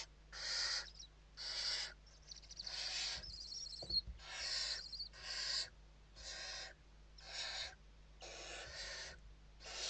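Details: Inside a Western barn owl nest in Spain on 29 November 2023 at evening feeding, a rapid run of short rasping hisses, around ten bursts, with faint scuffling between them.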